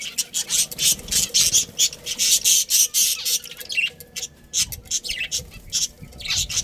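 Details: Budgerigar colony chatter, with rapid, irregular high chirps packed several per second and a raspy, scratchy edge to many notes.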